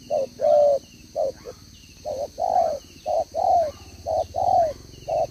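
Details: Decoy spotted dove with a two-row necklace giving 'gáy 1 hậu' coos, 11/6/2023: measured low coos, short notes followed by longer swelling ones, over a low rumbling background and a steady high whine.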